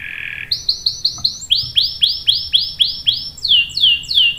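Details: Prolific canary singing a lure song meant to set other canaries singing; a short buzzy burst, then rapid downslurred whistled notes repeated about four per second, sliding lower midway.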